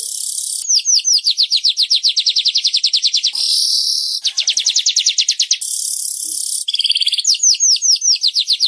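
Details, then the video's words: Weaver song used to prompt caged pet birds that have stopped singing: long, harsh, high buzzy hisses alternate with fast runs of ticking downslurred notes, about seven per second, with abrupt breaks between segments. "SUARA BURUNG MANYAR UNTUK MEMANCING BURUNG KESAYANGAN ANDA YANG MACET BUNYI"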